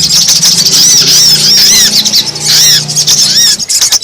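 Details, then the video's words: Lure sound for bringing wild brown-throated sunbirds down: dense, high, arched chirping runs over a low steady hum, ending in scattered clicks. "Suara pikat sogon paling ampuh terbaru!!!"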